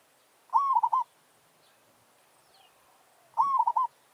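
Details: Merbok, a zebra dove, used as a lure for wild birds in a territorial challenge: two short rolling coos of rapid pulsed notes, a few seconds apart, with quiet hiss between.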